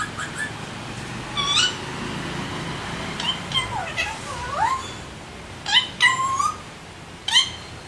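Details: Alexandrine parrots call in a varied string of swooping, nasal notes, some bending downward, followed by sharper, buzzy squawks near the end against a low background hum.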